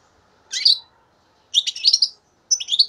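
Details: Three-month-old young European goldfinch (Carduelis carduelis) hatched in 2015 singing three quick bursts of bright, tinkling, twittering notes, high and liquid, each under a second long, in an otherwise quiet setting.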